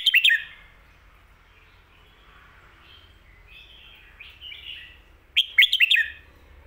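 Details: Red-whiskered bulbul singing a popular phrase in the 'pad kuay tiew' or 'mae bot' song style: a loud burst of five or six sharp, rising and falling whistled notes, soft warbling between, then the phrase repeated about five seconds later.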